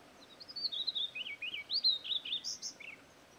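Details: A Shy Heathwren at Patchewollock Conservation Reserve sings loudly, a rapid, high run of sweet whistled and slurred notes, some rising and some falling, with a faint hiss of background noise.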